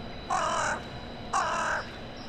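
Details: Town-centre crow on a January 2021 evening, calling to others arriving for the night: two loud, harsh, drawn-out caws about one second apart over a low steady background hum.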